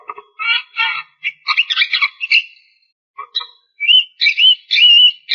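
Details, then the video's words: Chattering song of a Javan myna, described as a talker singing with few pauses: scratchy clucks and nasal notes run together, a short pause, then a string of bright wavering whistles and squeaks. "JALAK KEBO GACOR DURASI PANJANG TANPA BANYAK JEDA !! BUKTIKAN jalak kebo bisa ngomong"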